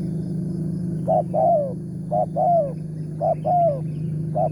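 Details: Morning recording of a wild spotted dove with a big 'tarik akar' voice, targeted with a decoy bird. After a quiet start, three paired coos follow: a short note, then a longer falling note. A prominent low engine-like hum sits underneath.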